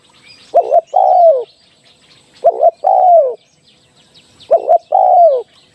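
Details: Spotted dove used as a decoy for trapping, giving three phrases, each a short stuttered double note followed by a longer, mellow, descending coo, roughly every two seconds; faint chirps of small birds in the background.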